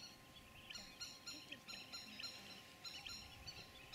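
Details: Indian thick-knee chicks in the nest on a small island in the Mekong River near Koh Preah, below Stung Treng, Cambodia, 27 March 2013, afternoon, giving short, nasal, harmonic piping notes in quick clusters of three or four over a faint steady hum.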